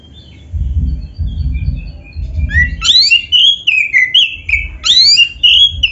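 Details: Black-breasted oriental magpie-robin in full song, used to spur other magpie-robins into singing: after low thumps, loud whistled phrases sweep up and down, mixing clear slurred notes with short rising chirps.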